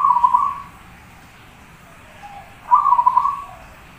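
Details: Actively singing zebra dove recorded as a training song for other birds: two rolling, slightly trilled coo phrases, one at the start and one after a two-second pause, with a faint soft note in between, against low steady background noise.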